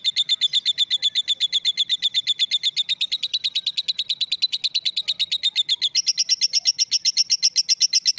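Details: Female lovebird ngekek call: an unbroken, rhythmic stream of high, rasping chatter notes, about four per second, rising to a higher pitch near the end.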